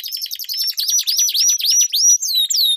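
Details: Canary song from a duel used to train competition birds: a fast roll of rising whistled notes over a dense chattering trill.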